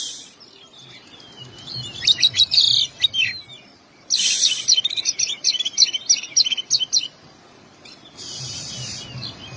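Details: Oriental magpie-robin song with imitations: long rapid runs of staccato chirps mixed with harsh broadband rasps, in two extended bouts and a final rasping burst.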